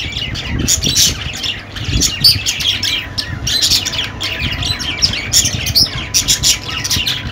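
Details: Several budgies warbling and squawking nonstop, a busy stream of scratchy chirps and short harsh calls with small gaps, and a faint steady tone in the background.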